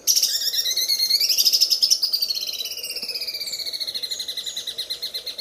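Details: Greater green leafbird giving the sewing-machine style song used for training other birds: a loud, rapid stuttering trill with bright sweeping notes at first, easing into a steadier, softer mechanical rattle that continues throughout.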